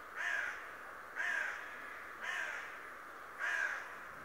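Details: Talking raven that spies daily; four harsh, hoarse caws about one per second, each slightly falling and richly overtoned, with steady background hiss.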